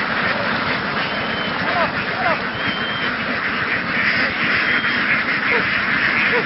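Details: A big flock of Vietnamese laying ducks, moved through the fields and onto a boat to migrate, keeps up a thick babble of raspy quacks. Scattered short nasal notes stand out, and voices may be mixed in.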